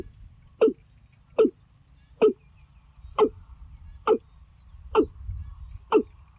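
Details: Watercock calling: seven short, hollow, downward-dropping knocking notes, evenly spaced about one every 0.8 seconds over a faint low background rumble.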